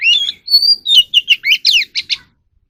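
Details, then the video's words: Oriental magpie-robin, song for training captive birds to sing: a warbled phrase, a pure sustained whistle, then about eight quick slurred and down-sweeping notes, rich and varied. "kacer alam | choè than luyện giọng || Choè than kích bổi ra giọng เสียงนกกางเขนบ้าน"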